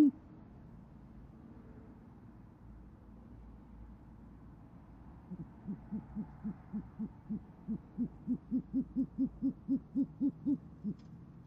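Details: Great horned owl pair at an Oklahoma City nest, January evening, the female hooting to call the male and him answering. After several quiet seconds, a rapid run of short low hoots starts softly and grows louder, about four per second.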